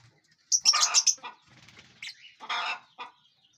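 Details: Lovebirds in a large aviary while feeding and flying: a burst of shrill chirps mixed with harsher, broader chattering notes, then a second rasping squawk.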